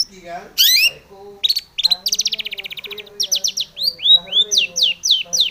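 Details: Long-tailed shrike in energetic full song with mimicked fill-ins, used to provoke other shrikes to sing. It mixes a buzzy rapid rattle, high sharp downslurred whistles repeated quickly, and lower soft warbled notes.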